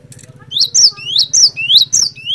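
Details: Lively lure song of a cinereous tit (glatik batu): after soft chatter, three or four ringing two-note phrases, each an upswept whistle then a high descending note, with a constant low droning hum behind.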